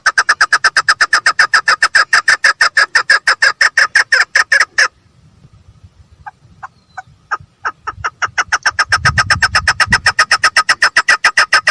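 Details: Female chukar partridge giving long rapid series of harsh chuck notes, several per second, broken by a pause with faint scattered notes and low rumbling before the steady clucking resumes.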